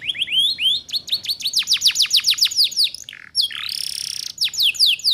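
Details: Canary song for teaching young birds, rising whistled notes leading into a long series of steep descending sweeps, then a loud buzzy trill and more sweeping notes.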